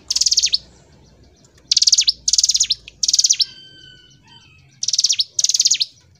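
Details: Hill prinia singing in the energetic 'gacor ngebren' style: short bursts of rapid, high, dry ticking notes, each lasting about half a second and repeated in clusters with brief pauses, with faint whistled tones between them.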